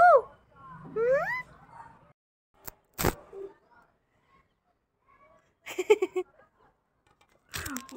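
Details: Pet Indian ringneck parakeet talking with its owner, saying "Main Mitthu"; a few curving, whistled vocal phrases at the start, then sharp clicks, short bursts of speech-like sound and a final squawk.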